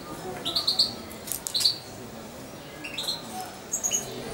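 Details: Nearly two-month-old hand-fed European goldfinch gives a triple burst of high chirps, then a pair, then fainter scattered twitters in an indoor setting.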